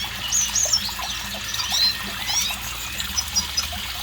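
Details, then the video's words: Red siskin singing thin, high whistled notes and quick slurred twitters in short phrases, over a steady background of running, trickling water. "burung red siskin gacor"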